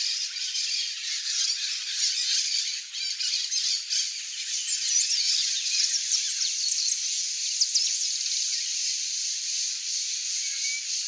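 Shiny cowbird song: a run of thin, very high whistled slurs partway through, set against a steady hiss of background noise.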